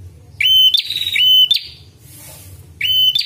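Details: Prinia, described as red-headed, calling for luring and training: a pair of clear, ringing notes rising then held steady before a buzzy upward jump, a quiet gap, then another note begins.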